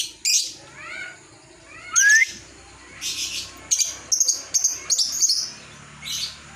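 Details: Ngekek chatter from a lovebird, used to train and lure other lovebirds: scattered harsh, high squawks and short rising chirps with quiet gaps, ending in a quick run of sharp notes.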